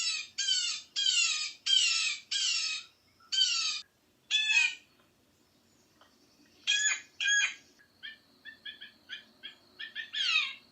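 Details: Blue Jay in Sutton, Québec, in winter, giving a run of harsh, screeching jay-jay calls in quick bursts, then softer, clipped notes and a final scream.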